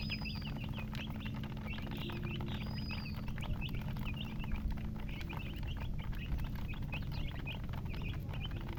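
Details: Several chicken chicks give thin, high cheeps in quick succession, fairly soft, with constant low rumbling background noise and a few faint clicks.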